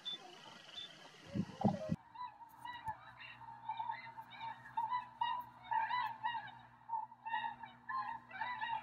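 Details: A flock of tundra swans near Rosedale and Munson, Drumheller, Alberta, gives overlapping, mellow, high-pitched whooping and yelping calls in quick bursts, after a brief rush of wind or handling noise and over a low hum.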